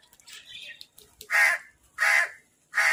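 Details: Crows fighting over food while eating: three loud, harsh caws about every 0.7 seconds, preceded by softer, scratchy chattering calls.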